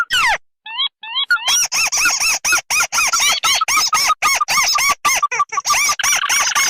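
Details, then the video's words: Combined red and white tikusan crake lure: an opening falling whistle and a few thin, paired chirps, then a long rapid run of arched, nasal notes, several per second, growing denser toward the end. "Suara pikat burung tikusan merah vs putih"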